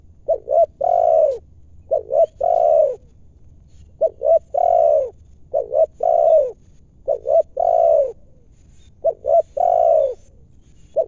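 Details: Loud, clear cooing of a wild spotted dove lured in by trappers: about five repeated phrases, each two short stuttered notes then a long rounded coo, delivered steadily every two seconds or so over near silence.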